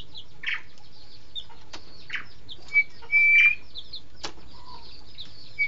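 Green magpie giving a few thin, clear, level whistles, one drawn out for about half a second, among scattered soft chirps and sharp clicks.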